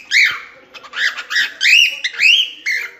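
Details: Loud cockatiel whistles: rising slurred notes alternate with short chirps over three seconds, clear and close.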